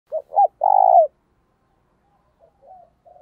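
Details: Decoy spotted dove giving urging and calling coos used to lure other doves: two short hooting notes, then a long, low, purring coo, followed by softer, fainter cooing.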